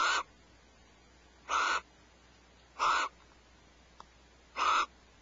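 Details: Four grating, hoarse bursts roughly every second and a half from barn owls at Starr Ranch, sharing a vole as prey before 5 am on 1 January 2012, with near silence between calls.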